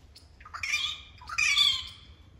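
Rufous treepie giving two loud, harsh, rasping squawks, each starting with a short rising note and broadening into a grating burst about a second apart.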